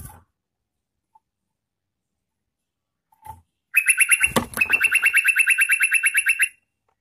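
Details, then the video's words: Bulbul lure song aimed at wild birds: after soft rustles, a fast chattering trill of bright repeated notes runs about three seconds, with a single loud knock partway through. "Suara Trucukan Gacor Garuda Panggil Trucukan Liar"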